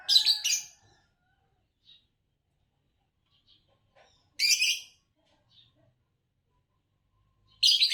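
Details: Green Fischer's lovebird, a champion of Indonesian bird song competitions, gives three harsh, buzzy, high chirp bursts, each under a second, spaced by long silent gaps.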